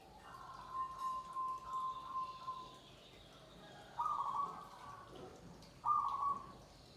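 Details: Zebra dove (perkutut joglo) song: a series of soft, pulsing coos, then two louder, abrupt cooing phrases with faint background noise.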